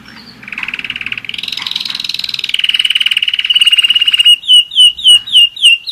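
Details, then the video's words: One-year-old German Roller-split canary singing: a long, fast, buzzy roll held at a steady mid-high pitch, speeding into a tight rattle, then ending in separate down-slurred whistled notes about five per second. "german roller-split canary"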